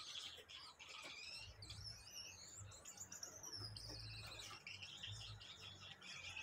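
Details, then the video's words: Gouldian finch singing: a dense run of thin, high, buzzy and whistled notes, some sliding up or down, with faint low rumbling in the background. "Diamante de gould cantando"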